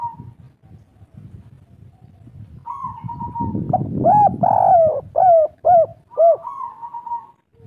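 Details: Local spotted dove of the three-note type calling loudly: a rough, blurred coo followed by several clear, rounded coos, with faint low rumbling background noise.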